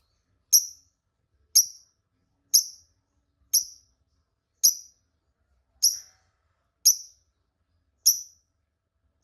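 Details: Lovebird calls used as a lure to make rival lovebirds answer: a sharp, very high chirp repeated about once a second, nine in all, with nothing else heard.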